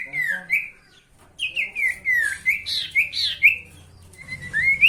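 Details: Sooty-headed bulbul song used to provoke rival birds: sweet whistled phrases sliding down and up, a short pause, then a lively run of rising and falling whistles over faint low hum.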